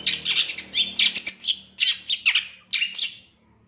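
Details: Long-tailed shrike training song in the 'isian tembakan' style: a continuous stream of harsh, scratchy warbling with squeaky slurred notes, rising and falling and mixing grating and whistled sounds.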